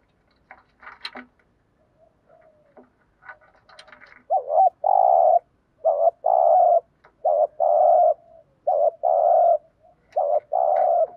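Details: Spotted dove coos used to attract wild doves, opening with faint scattered clicks and soft notes, then a series of loud paired coos, a brief wavering note leading into a longer steady one, repeated about every second.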